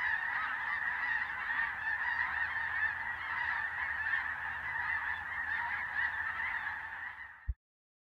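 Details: Large flock of snow geese, including blue-phase birds, moving on migration at dusk, filling the air with a continuous roar of countless mixed honks and barking yelps that ends abruptly.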